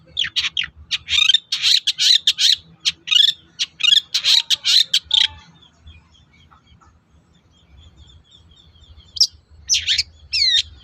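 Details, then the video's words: Energetic chattering song of a long-tailed shrike, played to lure others into answering: dense harsh, scratchy notes for several seconds, a quiet pause, then a couple of sharp calls and a short whistle. "SUARA BURUNG PENTET GACOR AMPUH UNTUK PANCINGAN CENDET LAIN AGAR NYAUT"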